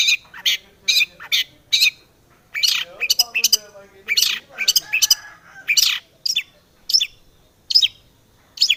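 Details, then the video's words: Rich shrike song meant to make other long-tailed shrikes sing: rapid repeated bright chips, then dense, varied chattering phrases and scattered squeaky notes. "SUARA BURUNG cendet gacor SEKETIKA pancingan cendet agar bunyi PENTET"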